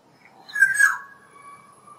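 A black-naped oriole gives one loud, nasal, slightly harsh call that drops in pitch and trails into a faint, steady tone.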